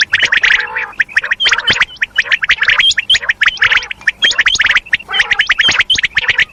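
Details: Common quail female giving the madi kirak call: almost continuous dense scratchy chattering in quick pulses, with sharp upturned whistled notes mixed in, barely pausing throughout.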